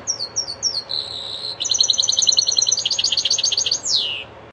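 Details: Linnet and canary hybrid singing a goldfinch-style song: quick paired high chirps, a steady high whistle, then a long, fast, buzzy trill of rapidly repeated notes, ending in a sharp downward sweep; faint low hum behind.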